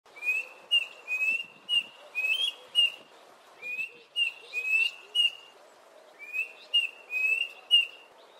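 Klaas's Cuckoo giving clear, high whistled notes in short runs of three to five, each slurred up then down, the phrases repeated every couple of seconds.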